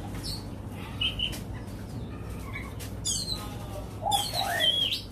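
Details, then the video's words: White-rumped shama from Nam Cát Tiên singing against a machine recording: bright whistled notes and short slurred phrases around the upper-middle range, some rising sweeps, over steady low hum and background noise. "Chòe Than Nam Cát Tiên Hót Vs Máy"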